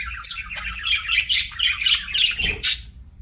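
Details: Short burst of budgie chatter: a squeaky whistled note, then a run of raspy chirps and squawks ending in a sharp squeak.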